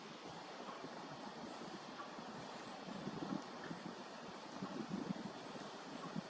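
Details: Steady broadband rumble of wind and passing traffic, with no animal voices.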